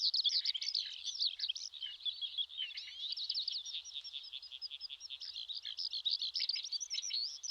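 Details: A Eurasian skylark pours out an unbroken stream of rapid, high, trilling and chirping notes with no pauses, recorded in May on a riverbed in the Shinetsu region of Japan; nothing else is heard.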